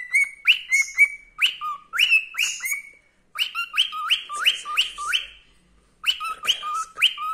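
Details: Contented male cockatiel kept as a pet, singing his "Wiko Wiko" song wholeheartedly: bursts of loud upslurred whistles, some ending in lower tails, delivered in bouts separated by quiet gaps around three and six seconds.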